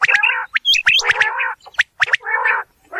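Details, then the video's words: Natural quail voice from a real environment: buzzy, grating bursts about half a second long, alternating with thin high chirps and clicks, with short pauses between phrases. "Batair ki Awaz | Quail Sound | बटेर लावा बटेर | صوت السلوى الصاعد | Bildirçin Yüksələn Səsi"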